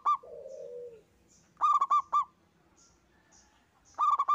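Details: Local zebra dove, kept singly and singing hard, opens with a low rolling coo, then gives two bursts of quick staccato notes separated by a quiet pause.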